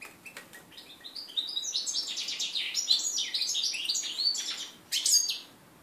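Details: Hybrid mule (red-breasted flycatcher x canary) from 2013, first song following its moult, 11 January 2014: a few soft chips lead into a sustained high warble of descending slurs and trills, ending with a sharp note.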